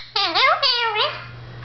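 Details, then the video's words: Pet blue Indian ringneck parakeet, male, talking to his mirror reflection: two quick high-pitched slurred syllables, falling then rising, fading into quiet room hum. "the talking parrot"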